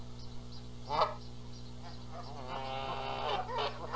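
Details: Canada geese quarrelling over who gets to sit on the eggs at a Montana nest in spring; a single sharp honk, then a drawn-out, grating, harmonic-rich call, with an electrical hum beneath.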